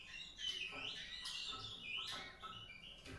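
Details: White-rumped seedeater warbling steadily, a smooth flowing run of whistled notes that swoop up and down without pause, with a few sharper chirps.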